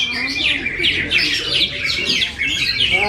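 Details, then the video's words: Caged greater green leafbird from Kediri in a brief burst of fast, tumbling chatter and sweeping whistled notes over a constant high thin tone. "cucak ijo"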